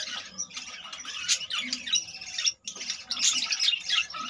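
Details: Budgerigars in a colony with around 25 new babies, keeping up a steady stream of high, grating chatter and squeaky chirps, broken by one short pause midway.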